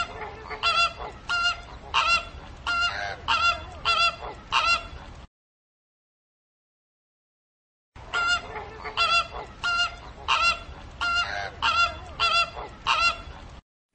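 Flamingos honking in rapid, goose-like bursts, several calls a second, from a noisy group.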